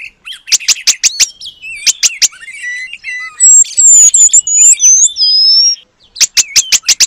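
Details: Oriental magpie-robin mimicking the Asian paradise flycatcher for training material. Quick sharp clicks open and close the passage, framing a middle of tumbling, looping whistled slurs.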